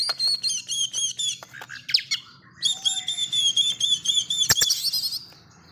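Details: Agitated, fierce-sounding white-rumped shama singing in a two-part burst: rapid repeated high whistled notes, then a short pause, then a longer sustained run of shrill, rattling phrases, with a faint low hum behind.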